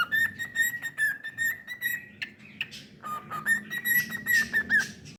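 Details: Pet cockatiel whistling a steady, clear tone overlaid with quick pulsing chirps. The tone breaks briefly near the middle, then returns lower and climbs back to the higher pitch. A faint low hum runs underneath.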